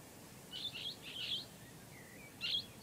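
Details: Blue-headed parrot uttering two rough chattering screeches in quick succession, a brief low whistled slur, then one more sharp harsh note near the end, with light hiss underneath.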